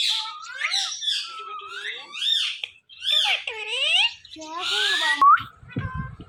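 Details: Indian ringneck parakeet mimicking words in a run of nasal, swooping, speech-like syllables with brief pauses, ending in a high rising squeak and low thumps.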